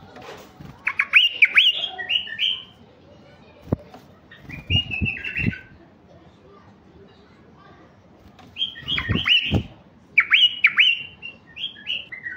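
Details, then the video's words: White-eared bulbul song from a mutation stud male used to draw wild bulbuls into singing: loud fluty warbled phrases come in bursts about every three to four seconds, each with swooping bright notes, separated by pauses with soft knocking sounds. "تغريد بلبل عراقي طفرة فحل لفتح البلابل الوحشية الخام"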